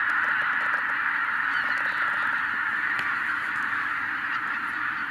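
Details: Wild geese in the tens of thousands, flushed by a white-tailed eagle, give a dense tumult of honks. Scattered clicks and sharper notes sit over the continuous clamor, which fades slightly at the end.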